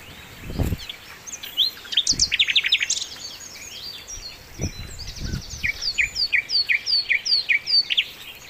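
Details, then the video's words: Sikatan londo flycatcher singing energetically for songbird training: a jumble of rapid high chirps and trills, then a quick run of repeated downward-sweeping whistled notes, with faint low thumps in the background. "masteran mewah sikatan londo gacor"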